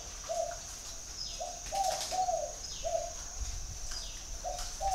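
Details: Spotted dove calling: short, low, hollow coos delivered in loose pairs and groups against a steady background hiss, with faint higher chirps from other birds.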